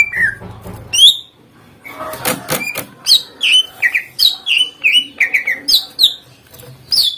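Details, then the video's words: Greater green leafbird singing to prompt other birds to reply: a low slurred whistle, a brief clatter of sharp knocks, then a quick series of bright, downslurred whistled notes repeated about twice per second. "Cucak ijo GACOR NEMBAK FULL ISIAN agar burung lain LANGSUNG NYAUT EMOSI"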